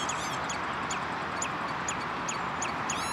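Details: Redshank at De Wollebrand, Westland, Netherlands, 11 June 2013: crisp downward piping notes roughly three per second, bracketed by short ringing arched calls, over a steady noisy background.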